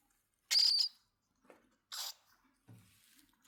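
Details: Cockatiel uttering two short, harsh screeches about a second and a half apart. The first is longer and carries a thin whistled edge. Faint clicks and a soft low rustle sound between the calls.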